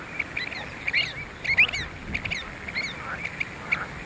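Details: Pied avocets at Skanör and Falsterbo, Sweden, filmed in June 2015: short clear piping notes repeated irregularly, with several overlapping birds and some higher chattering calls over faint background noise.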